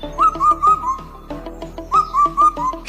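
Indian cuckoo giving a clear whistled four-note phrase, the last note dropping, sung twice. Background music plays throughout.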